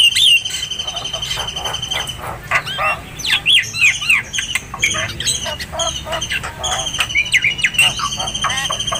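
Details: Oriental magpie-robin (kacer) training song, a masteran recording meant to teach other birds: rich varied whistles, sliding notes and rapid chirps, with steady high ringing tones held in the background throughout.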